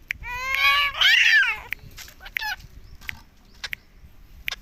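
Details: Green ringneck parakeet kept as a pet, talking and saying "mummy" without stopping; a long, loud, nasal harmonic utterance in two parts opens, followed by short scattered clicks and brief squawks.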